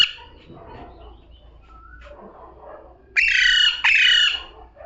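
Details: Low muffled background murmuring, then a talking parrot breaks in with two loud, harsh, buzzy squawks.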